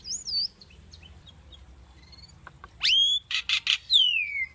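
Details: Tame Asian starling singing during bird training: a wavering whistle, faint clicks, then a sharp rising sweep into a whistled note, three quick harsh bursts and a long falling whistle.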